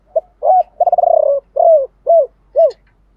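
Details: Spotted dove decoy bird cooing in the 'gọi ba hậu' style with a 'thổ pha' voice: a soft opening note, a rapid stuttering rolled coo, a long coo, then three short arched coos, in quiet surroundings.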